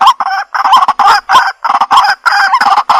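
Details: Harsh, loud grating bursts from a white-breasted waterhen, broad and nasal, delivered in quick uneven pulses about every quarter to half second.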